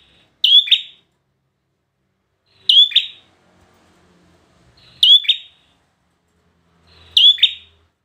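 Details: Bar-winged prinia, kept as a performance bird, repeating a bright, sharp double-noted chirp about every two seconds. Four evenly loud bursts stand against near silence.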